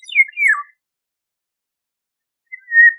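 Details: Golden oriole with a descending slurred whistle, tumbling downward in two parts, then after a two-second gap a smooth level fluted note; quiet background otherwise.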